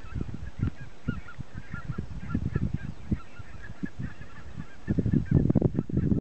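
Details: Red-breasted geese at Tetrisuo, Akanvaara, Saari, Parikkala, Finland, 2015, give short, high squeaky yelps in quick succession over heavy low wind rumble and thumping.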